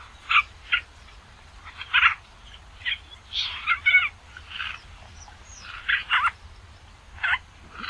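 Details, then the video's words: Basra reed warbler song, offered as a tutor recording for training songbirds: harsh, grating chattering notes in short bursts, irregular gaps between them, with a low rumble underneath. "kicauan burung Basra Reed Warbler"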